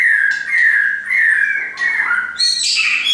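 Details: Caged shamas brought by their owner sing clear whistled phrases that slide downward, followed by a burst of high, buzzy, tumbling notes.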